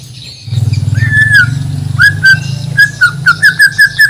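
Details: Banjar-bred Borneo white-rumped shama, a contest bird, singing clear mid-pitched whistles over a loud low hum, then repeating short whistled notes in a steady rhythm about three per second.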